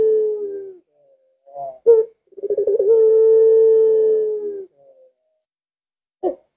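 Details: Collared dove in lengkungan style ends one long low coo, gives a short rising note, then a rapid rolling trill running into another sustained steady coo lasting around two seconds.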